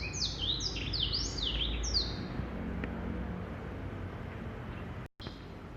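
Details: Male black-throated canary gives a brief burst of rapid whistled, downward-sweeping notes in the first two seconds, then falls silent over a low background rumble with a momentary dropout near the end.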